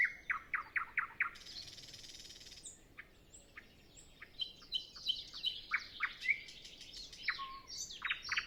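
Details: Before sunrise on a still morning, with no other birds singing yet, a nightingale opens with a quick run of repeated notes, then a dry buzzy burst and a jumble of varied chirps and short slurred whistles. Recorded on a Zoom F6 with a Sennheiser MKH 8040.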